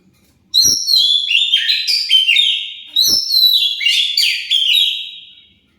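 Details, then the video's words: Song of an Oriental magpie-robin, meant to provoke other birds into replying; two long, loud phrases of tumbling, varied whistles and trills, each opening with a sharp click. "Pancingan Kacer pasti nyaut"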